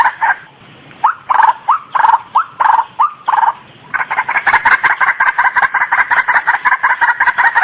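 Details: Female white-breasted waterhen calling: loud, harsh, nasal notes repeated in an uneven series, then a faster steady run of croaking calls, roughly three per second.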